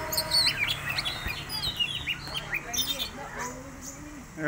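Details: Song of an Oriental magpie-robin, played to stimulate other birds to sing. Rapid, varied high whistles and chirps with upward and downward sweeps, several overlapping, over a low steady hum.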